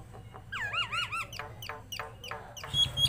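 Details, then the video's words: Singing tame Nias hill myna, captive: a wavering, warbled double whistle rising and falling, then several rasping downward-sweeping notes and a thin high squeak over faint low background hum. "BURUNG PINTAR,jalak NIAS"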